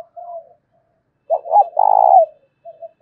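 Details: A spotted dove used as a lure, with a 'thổ' voice, coos so that wild doves reply. A soft coo is followed by a loud, rough double note and a long buzzy coo, then faint closing notes.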